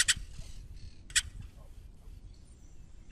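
Crested oropendola giving two loud, brief, rich gurgling bursts about a second apart, then a rising liquid note, over a low background rumble.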